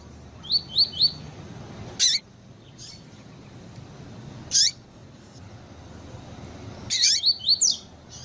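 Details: Female double-collared seedeater calling, used by breeders to stir up and teach a cold male of the tui tui song type; short high rising chirps in quick groups of three at the start and again near the end, with brief loud noise bursts.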